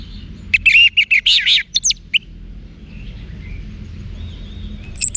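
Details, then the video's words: Orange-headed thrush singing 'wiksar' song used to provoke caged birds into fighting response: a dense cluster of rich, warbled and chirped notes in the first two seconds, followed by faint soft whistles and a brief high note at the end. "ANIS MERAH Manapun Bakal Nyaut Berani Untuk Figther Saat Didengarkan Kicauan Wiksar Ini"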